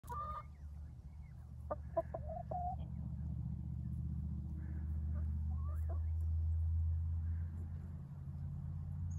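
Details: Chickens in a yard at Ellison Bay, Wisconsin, on January 27, 2021: a few short clucks and a brief, wavering tonal note in the first three seconds, then fainter clucks, all over a steady low rumble.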